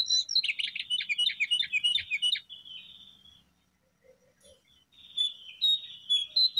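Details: Brown prinia song for luring birds: a fast buzzy trill of repeated notes, a short drawn note, a quiet gap with low faint notes, then sharper high whistled phrases; faint low hum underneath.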